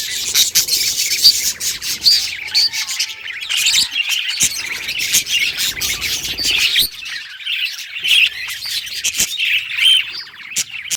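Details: Budgies singing contentedly, a steady wash of soft twittering, chirps and clicks with occasional brief whistles over the whole span.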